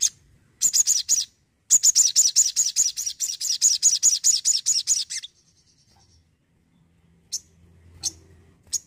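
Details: Energetic crimson sunbird delivering a long, rapid string of very high, piercing chip notes, about two to three per second for over three seconds, followed by a faint thin trill and scattered single chips.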